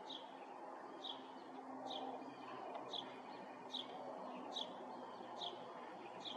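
Eastern towhee giving short, high, upslurred call notes about once a second, over a steady low rumble of background noise.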